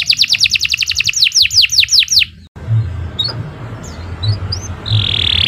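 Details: Canary song for training young birds: a quick run of repeated falling notes slowing into longer swoops, then a break into background hiss with a few faint chirps and a final buzzy trill.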